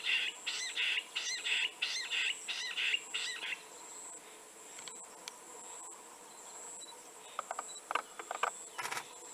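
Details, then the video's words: Jungle bush quail calling: a run of about seven quick, high, grating notes over four seconds, then sparse chirps, with a steady high insect whine throughout. "Jungle Bush Quail (Calling)"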